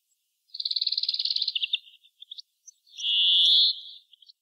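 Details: European greenfinch song: a fast rattling trill of about a dozen bright notes, a few scattered short notes, then one long, harsh, wheezing buzz held close to a second, ending with faint chips, clear against silence.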